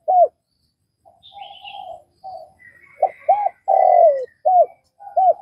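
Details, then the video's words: Cooing of a spotted dove from Vietnam. A single arched note and soft level hums lead into a full phrase of two short notes, a long falling coo and clipped closing notes, with faint high chirping above. "Tiếng cu gáy Việt"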